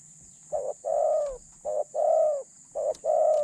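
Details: Captive decoy spotted dove with a medium-pitched voice: three phrases, each a short coo and then a drawn-out, slightly falling coo, about one second apart, with faint low background hum.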